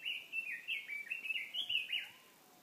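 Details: A bird sings by a murmuring mountain stream, delivering a rapid, continuous warble of bright chirped notes that rise and fall in quick slurs, a dozen or more in under three seconds, over a soft hiss.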